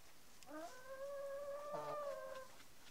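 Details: Denizli rooster crowing: one long, steady, level crow held about two seconds with rich harmonics, fairly faint against a quiet background.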